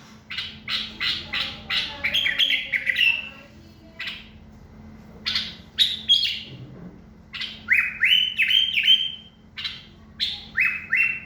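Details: Common bulbul song in rapid bursts: clipped chirps followed by fluty whistled phrases that slide up and level off, repeated at irregular intervals over a steady low hum.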